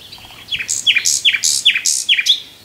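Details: Common nightingale song: a phrase of five loud, repeated down-slurred whistles, each dropping sharply and spaced about a third of a second apart, with bright high overtones above, against a quiet background.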